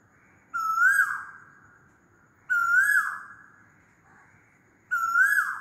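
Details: Asian koel calling loudly: three loud whistled notes, each a clear rising note that slides down at the end, spaced about two seconds apart, over a quiet background.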